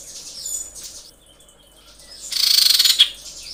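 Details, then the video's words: Female common iora calling for a male, amorous: one loud, rasping, fast-pulsed rattle lasting under a second, ending in a sharp note, preceded by faint high thin chirps. "KICAU CIPOW BETINA BIRAHI MEMANGGIL JANTAN"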